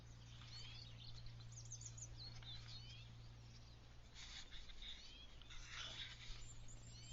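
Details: Small songbirds singing in a garden in early spring, as they begin building nests; faint, thin high twitters and short chirpy phrases come and go, denser near the end, over a steady low electrical hum.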